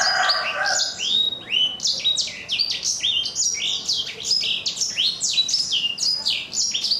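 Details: Rough, crunchy "kriuk-kriuk" singing from a four-month-old black-throated canary: quick repeated chirps and swooping notes in a continuous, busy phrase.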